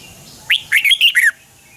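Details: A red-whiskered bulbul gives one brisk, looping phrase of about five liquid notes over a quiet background. The bird is singing a double-twist morning song, recorded as a lure for training birds.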